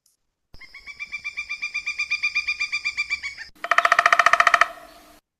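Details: Pileated Woodpecker, called an unusual visitor, gives a long, even series of loud, ringing notes, about seven a second, then a brief harsher and louder run of calls.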